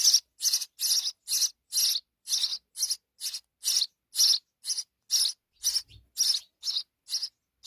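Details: Sparrow babies with their mother: rapid run of harsh, buzzy high chirps, about two per second, steady and insistent, with a soft thump midway.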